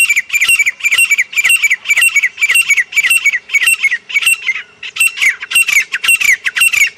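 A Grey francolin gives loud, harsh, ringing notes in rapid repeated bursts, roughly two per second, with a faint low hum in the background.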